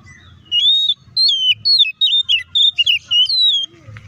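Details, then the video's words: Oriental magpie-robin singing a provoking song intended to make rival birds respond and sing aggressively. It is a continuous run of sharp, high whistled notes, swooping up and down, delivered rapidly for about three seconds over a faint low hum. "PANCINGAN SUARA KACER AGAR CEPAT RESPON DAN CEPAT BUNYI AUTO EMOSI!"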